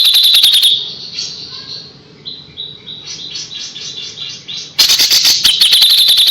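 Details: Machine-gun bursts of hard high notes from a kapas tembak frame a middle passage of softer rolling chatter and short whistled notes. The sharp rapid 'tembakan' phrasing serves as tutor material for white-rumped shama.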